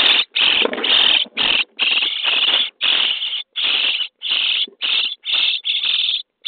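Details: Begging chorus of common starling nestlings being fed in their nest box on day 23: loud, rasping, hissy screeches run together almost without pause, several chicks calling over one another.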